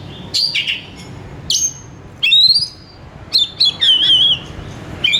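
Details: Actively singing Oriental magpie-robin, used as a call to stimulate others: separate whistled phrases about a second apart, some rising, one a rapid wavering trill, and sharp high notes between them.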